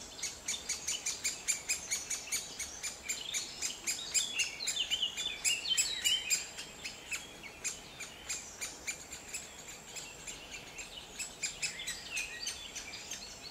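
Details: Juvenile great spotted woodpecker begging while being fed by its parents, Grésivaudan valley, France, May 2020: a steady stream of shrill, scratchy chirps, about four a second, under a faint outdoor hiss.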